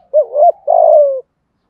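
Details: Decoy spotted dove in the 'giọng thổ' style, cooing to attract wild doves. A quick rising-and-falling hoot leads into a drawn-out, throaty coo that sinks slightly and then stops cleanly.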